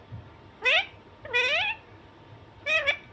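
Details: Loud, close Alexandrine parakeet squawks: three harsh, upward-bending calls, the middle one longer and slightly wavering, with a steady faint hum underneath.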